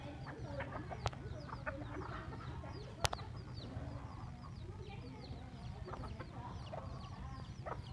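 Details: A mother hen and her busy chicks beside a road leading to a primary school in Binh Hoa, Vietnam, in the morning; constant overlapping high peeps and short chirps from the chicks, with low background hum and two loud clicks.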